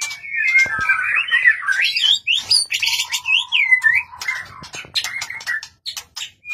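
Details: White-rumped shama, a caged songster provoked to sing in rivalry, delivering varied whistled and warbled phrases that slur up and down, over scattered clicks and knocks.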